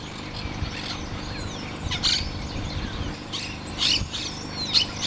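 A White-fronted Woodpecker gives short, harsh, high-pitched notes in scattered bursts, with faint thin chirps and twittering from other birds behind.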